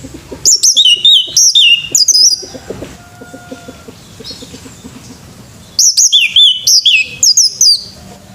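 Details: A male orange-headed thrush sings in the morning, producing rapid, high, sweet whistled notes that alternate between very high and slightly lower pitches, delivered in two energetic bursts separated by a few seconds of near silence and faint low background sounds.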